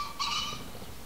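A green pheasant gives one short, harsh, strident note lasting about a quarter second, over faint low background rumble.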